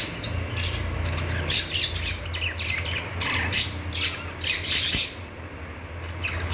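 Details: Budgies calling with sharp, piercing squawks and scratchy chatter, strongest between one and a half and five seconds, then quieter, over a noticeable low hum.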